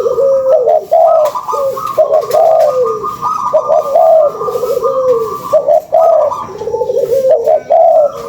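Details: Spotted doves used as a lure: continuous low cooing, short hooted notes strung into phrases that overlap and blend, with no real break throughout.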